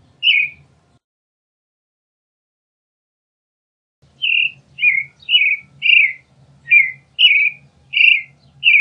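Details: Creamy-bellied thrush, also called zorzal chalchalero, gives a single whistled note, falls silent for several seconds, then resumes with a brisk series of about nine short, slurred, falling phrases over a faint low hum.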